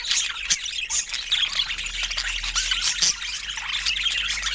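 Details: Pet budgerigars during fruit time: a jumble of quick twitters and squawks, with a few sharp clicks standing out against the steady high chatter.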